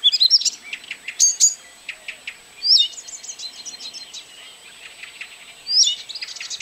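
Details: Blyth's reed warbler singing at Kępiny Małe, Pomerania, Poland, 12 June 2011, with clustered high chirps and whistles, then quieter ticking between louder sharp phrases about every one and a half seconds.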